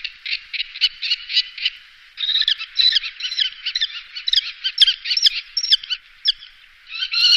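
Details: A common kestrel in the Wittlich valley, Germany, recorded in 2018, gives fast runs of shrill, scratchy notes, several per second, broken by short pauses; no other sounds stand out.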